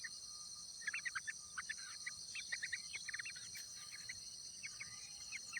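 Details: Yellow-vented bulbul in the wild at the nest as the adult rears its young: rapid series of short, bright chirps in irregular clusters over a constant shrill insect chorus.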